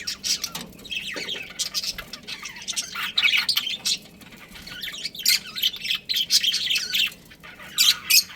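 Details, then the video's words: Budgerigar breeding pair kept as pets, chattering in quick irregular bursts of high scratchy chirps and squawks, about three or four a second, with brief quieter pauses between busy runs. "Adorable Budgies Chirping Sounds"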